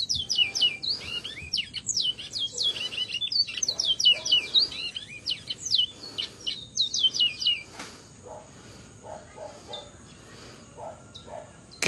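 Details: Bajero song recorded around Valledupar at 5 pm in July 2025: a dense run of fast, high, downslurred chirps and buzzy trills for about seven seconds, then a quieter stretch with a steady high insect-like hum and soft notes.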